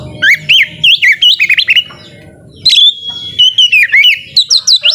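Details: White-rumped shama (kacer) in full loud song, used to provoke lazy shamas into singing: rapid varied whistled phrases rising and falling, slurred notes in quick bursts, a short pause near two seconds, then a long sustained whistle followed by more rolling phrases.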